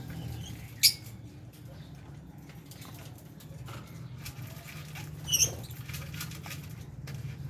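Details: Lovebirds eating among budgies let out a lone piercing squawk, then a paired shrill call a few seconds later. A low constant hum and soft rustling continue underneath.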